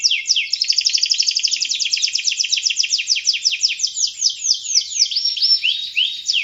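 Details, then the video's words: Energetic canary song (gacor), suitable for prompting other birds: a dense rattling trill opens, loosening into slower repeated downward sweeps and ending with a few clear whistled slurs. "SUARA BURUNG KENARI GACOR‼ cocok untul pancingan paud"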